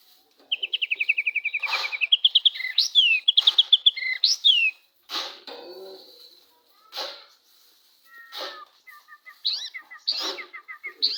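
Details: White-rumped shama, a lively, vigorous singer, its song used to provoke another shama into singing: fast rattling trill of repeated high notes, then varied whistled phrases and sweeping notes with pauses, ending in quick chattering series, with sharp clicks between.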